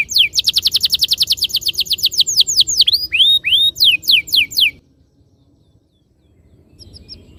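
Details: Canary song meant to prompt other canaries into rolling song: a fast, even high trill that breaks into curving whistled sweeps and quick slurred notes, then stops abruptly and leaves near-silence.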